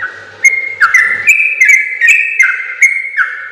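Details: Yellow-vented bulbul training song in continuous long-trill style: after a quiet start, loud clicky whistles step rapidly between higher and lower pitches in a dense, bubbling sequence, with a low hum early on.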